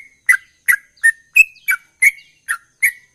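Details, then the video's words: Sooty-headed bulbul delivering ropel song: a quick string of eight crisp chirps, one noticeably higher and purer, others falling slightly in pitch, with silence between notes. "Trucukan Gacor Ropel durasi"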